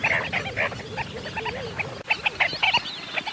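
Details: A dense chorus of sandgrouse: short, throaty, chuckling notes from many birds overlapping rapidly, with a brief lull near the middle.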